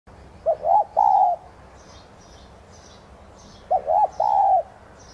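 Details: Spotted dove of the subspecies tigrina, a decoy bird used to stimulate singing, giving two coos a few seconds apart, each of three short notes with a longer drawn-out final note, with faint higher chirps above.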